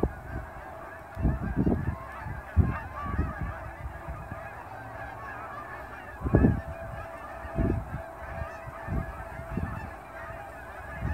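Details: Hundreds of Canada geese leaving ponds for grain fields just after sunrise in fall near the airport at Dawson Creek; scattered nasal honks overlap in a ragged chorus, with low rumbling wind gusts underneath.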